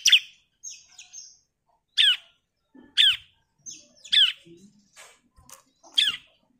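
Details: Female Bar-winged Prinia (ciblek) calling the male: scattered, sharp chirps that slide steeply downward, given irregularly with gaps of about a second, mixed with a few shorter, thinner high notes and soft clicks.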